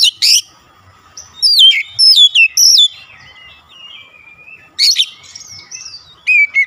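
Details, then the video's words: White-rumped shama song played to prompt a silent bird to sing: loud ringing whistles in short groups, some sliding down steeply, others rising sharply, with brief pauses between phrases. "Kacer macet bunyi langsung gacor"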